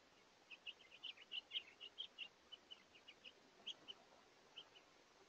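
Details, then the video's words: Hungry house finches visiting a seed feeder throughout the day on 7 March 2024; a quick run of short, high chirps, about twenty in five seconds, in irregular bursts over a soft background hiss. "A compilation of the hungry House Finches that visited throughout the day"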